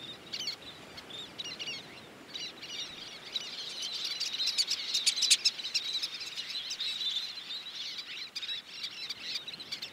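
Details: A noisy Least Tern nesting site on a sparsely vegetated beach: dense, piercing high-pitched chatter from numerous adults and young, swelling to a peak midway before easing.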